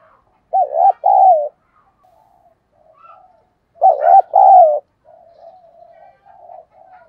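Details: Spotted dove used as a decoy to lure wild doves, cooing in 'giọng thổ' style: two loud paired-note coo phrases about three seconds apart, followed by low, drawn-out murmuring coos.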